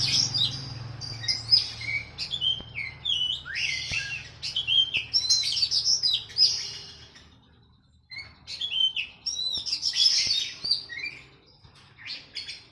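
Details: Captive oriental magpie-robin masteran recording with sooty-headed bulbul: two long runs of varied rapid chirps, whistles and trills separated by a brief silence, with a low background hum.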